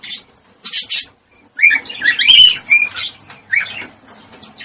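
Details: Cockatiel calling to encourage breeding: two short harsh bursts, a pause, then a run of bright upslurred whistles mixed with scratchy warbling that fades into softer chirps.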